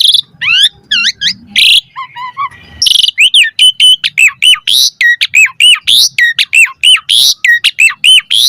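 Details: Asian pied starling, a master recording with pumping variations to get caged birds singing. Falling whistled sweeps and a soft warble give way to a fast, regular series of hooked chip notes repeated about twice a second.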